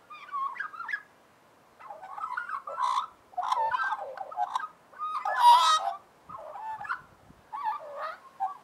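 An Australian magpie warbles in rich, gurgling, fluting phrases about a second long, broken by brief pauses, with one louder, higher burst midway.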